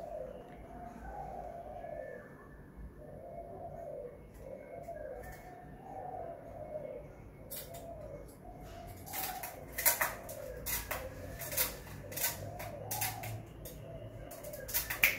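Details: Spotted dove at home, giving low hollow cooing phrases repeated steadily through the first half, then joined by sharp clicks and knocking noises in the second half.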